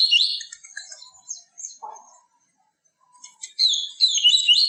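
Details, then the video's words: Captive-stimulation song of the yellow-bellied seedeater: high, quick chirping notes, a brief low burr midway, then a dense rising and falling twitter at the end. "CANTO DO PAPA CAPIM TUI TUI VIVITI, CANTO PURO"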